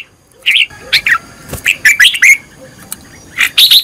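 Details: Red-whiskered bulbul giving short, liquid, warbled phrases in quick bursts, with a brief sharp click partway through; a decoy song recorded for training other bulbuls to sing.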